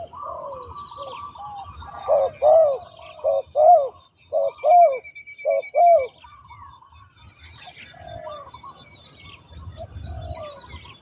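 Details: Trained captive spotted dove used as a ground decoy: a burst of about seven loud, low, hollow coos between two and six seconds, with fainter coos of other doves and high chirping birds in the background.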